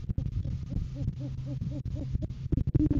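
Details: Live cam recording of great horned owls in courting season, 7 January 2023, male presenting food to the female; a quick series of soft, arched hoots in the middle, framed by sharp knocks and bumps.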